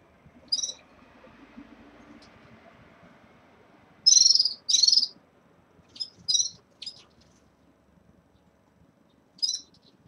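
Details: Red-fronted serins kept caged as their moult starts give scattered high, buzzy trilled chirps, including two louder ones in close succession, then several shorter clipped notes.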